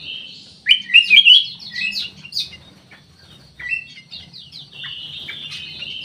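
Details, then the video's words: Black-naped oriole (kutilang emas) in an Indonesian aviary giving one rich, wavering whistled phrase about a second long, followed by scattered thin chirps and a sustained high twittering from other birds. "KUTILANG EMAS"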